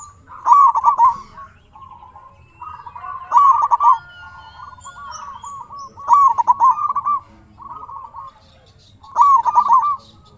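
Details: Song of a local zebra dove, used to stir quiet doves into answering. Loud stuttering coo phrases come about every three seconds. Softer trilled coos fill the gaps between them.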